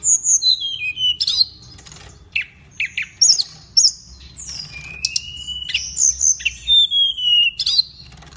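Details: Pygmy cupwing from Indonesia singing energetically: high sharp chips and descending whistles alternating with harsh buzzy notes and one long rising whistle, delivered in quick varied phrases.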